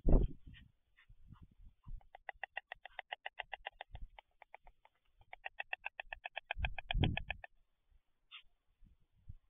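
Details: White stork pair bill-clattering in courtship at the nest, June 11, 2023: a fast, even train of hard wooden rattling knocks, about six per second, lasting several seconds, with low thumps and rustling before and after.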